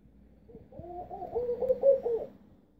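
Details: Laughing dove calling in Istanbul, Turkey: a mellow run of soft, rolling, rounded coo notes that climbs slightly and then falls away, about a second and a half long, with faint low rumble underneath.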